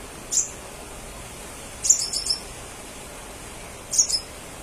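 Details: Crimson sunbird singing actively, used as a lure to make other crimson sunbirds answer: three bursts of very high, thin chirping notes, one short and two longer twittering runs, over a faint steady hiss.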